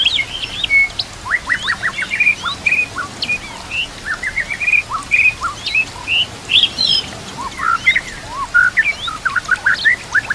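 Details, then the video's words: White-rumped shama song for training other shamas, with nature sounds and running water: long sequence of quick chirps and whistled notes, repeated rapidly with steady rhythm. "Murai Batu Full Gacor Murai macet langsung Gacor Masteran Murai"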